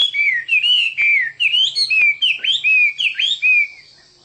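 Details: Singing Chinese hwamei delivers a steady string of bright whistled notes, each bending up then down, in quick succession with a faint low hum beneath.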